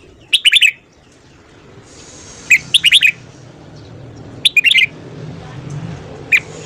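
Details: Clear morning song of a red-whiskered bulbul: three fast, fluty phrases of four or five notes, each lasting under half a second, then one lone chirp, with a faint low rumble.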